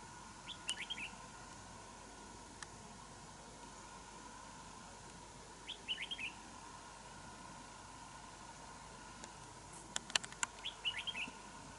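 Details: Wild red-whiskered bulbul near a fighting trap with a decoy bird, after a long break from trapping; the bird eventually escaped. Three short, faint warbled phrases, at the start, middle and end, separated by long quiet stretches, with a few sharp clicks and steady background hum.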